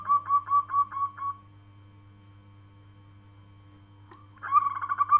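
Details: A local zebra dove ends one soft, pulsing coo phrase, falls silent for about three seconds, then starts the next burst of quick, fluty notes; a faint electrical hum runs throughout.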